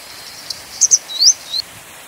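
Grey Wagtail giving a quick run of five thin, sharp, high-pitched notes, with a light hiss behind.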